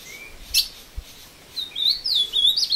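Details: Caged male Ultramarine grosbeak of the Barracuda line, taken into the woods in Passos, Minas Gerais, Brazil, singing while fighting a wild bird: high warbled phrases with rapid sliding notes, brief loud chirps earlier.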